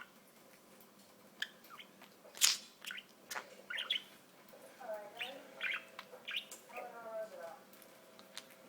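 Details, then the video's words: Talking budgie with sparse clicks and chirps, then low warbling speech-like phrases in the second half. "Torres The Talking Budgie"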